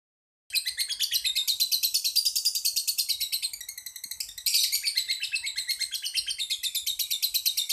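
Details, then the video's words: Champion lovebird recorded in Jakarta giving its long ngekek song: a continuous, rapid, high-pitched buzzy trill of evenly pulsed notes lasting about seven seconds, with a brief dip in loudness midway before resuming strongly. "Suara Burung love bird ngekek panjang bagus juara"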